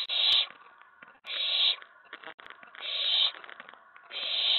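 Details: Owlet indoors in a nest box on the night of 19 May 2017, stirred up when another owl reaches the tray; long harsh hissing screeches repeated roughly once a second, with faint rustling between them.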